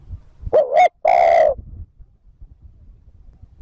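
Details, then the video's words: Spotted dove coo to lure wild birds: a brief wavering two-humped note leading straight into a long, loud, resonant coo, with faint low rumbling afterward. "TIẾNG CHIM CU GÁY THÚC GÙ KÍCH BỔI NHANH NỔI CỰC SUNG, MỒI NGHE LÀ GÁY"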